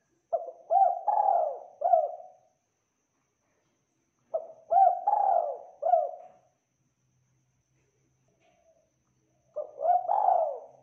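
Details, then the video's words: Spotted dove singing actively, its voice described as clear and full: three cooing phrases spaced about four to five seconds apart. Each opens with a short clipped note, then runs into rolling, mellow coos with a drawn-out falling final coo. Silent background. "MASTERING TEKUKUR GACOR SUARA JERNIH TEBAL MEWAH"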